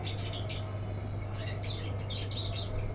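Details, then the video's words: Untrained black-throated canary in an uncovered cage giving brief bursts of high twittering song notes, with a gap in the middle, over a steady low hum. "Lupa ga di krodong blackthroat bahan jadi begini"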